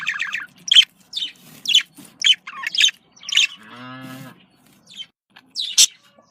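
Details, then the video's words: Budgerigar communication calls, clipped high chirps in quick bursts, broken midway by a brief lower, steady harmonic tone before the chirping resumes. "Voz decomunicación.de loro australiano /sonido de llamada de periquito"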